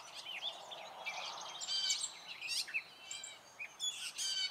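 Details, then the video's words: Male Gray catbird singing in spring, stringing together harsh chattering notes, clear whistled slurs and squeaks, some phrases repeated, with short gaps between bursts. "Gray Catbird singing his spring song!"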